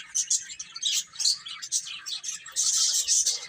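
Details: Chicks eating and playing, giving bright high-pitched peeps in short bursts that merge into a sustained shrill chorus near the end.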